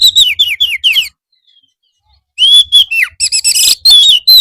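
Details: Oriental magpie-robin used as a master to teach birds to reply in the afternoon; a quick series of five falling whistles, a silence, then a clear long whistle and rich chattering phrases.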